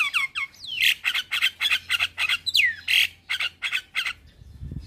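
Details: Male Javan myna singing to prompt other mynas to join in: a few rising whistled notes open, then a rapid run of harsh, squawky, chattering notes, about three per second, fading out at the end.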